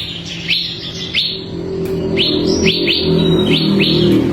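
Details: Ciblek kristal (bar-winged prinia) singing as a tutor bird for caged songbirds: a few spaced, high downslurred notes, then a quicker run of similar chips, over a steady low hum.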